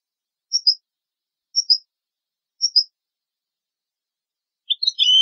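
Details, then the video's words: European goldfinch song played to teach young goldfinches and hybrid chicks: three short identical paired chirps about a second apart, then a quick burst of twittering notes, against complete silence. "هدية 2 لعشاق الطيور لتعليم فراخ الحسون Gift 2 for bird lovers to teach goldfinch and hybrid chicks"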